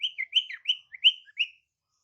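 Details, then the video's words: Female sirtu calling for males with clear, sweet whistled notes in quick succession, each slurring up and down, about five notes in a second and a half. "Kicauan SIRTU BETINA Untuk PIKAT SIRTU JANTAN"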